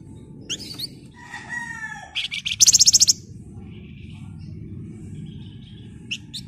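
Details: Flamboyan singing hard: sharp whistled notes, a low drawn-out warble, then a fast even rattle of about eight piercing high notes around three seconds, with scattered faint chips afterward over low hum.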